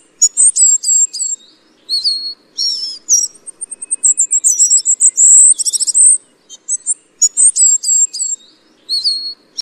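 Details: Tristram's bunting giving a lively sequence of high chirps, thin whistles and descending slurs, with a rapid trilled rattle near the middle and repeated phrases at the end.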